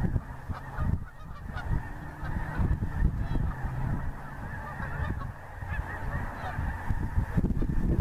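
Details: Geese calling in flight over the Missouri: irregular nasal honks rising and falling in loudness, overlapping one another, with heavy low-pitched rumble of wind or distant noise throughout.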